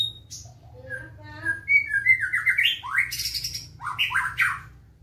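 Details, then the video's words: Murai batu, a black-tailed white-rumped shama, giving fast rough-toned fighting song: stepped rising whistles building into loud harsh buzzy rasps, dense and continuous, low hum in the background. "MURAI BATU EKOR HITAM SI KELLING ISIAN GEREJA TARUNG SPEED RAPAT & NADA KASAR"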